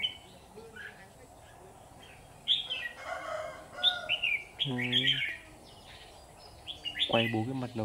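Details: Red-whiskered bulbul at a bulbul trap, giving scattered lilting whistled phrases, with a man speaking Vietnamese twice in between and some rustling.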